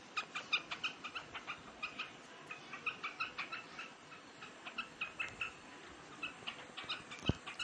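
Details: Short, bright chirps come from a large quail feeding on grain in summer (3 July 2021), delivered in quick clusters with brief gaps, ending with a single sharp knock.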